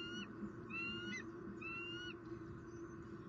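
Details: Wild bald eagle pair at their nest in Southwest Florida in 2019, on the evening the first egg of the season was laid, around a fish dinner. Three high, thin whistled notes with a slight downward slur, over a low rumbling background.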